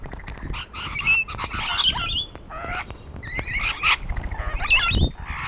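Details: Harsh chatter from rainbow lorikeets gathered on a wall: a steady run of scratchy, screechy squawks and thin rising whistles overlapping, with few pauses and a faint low rumble beneath.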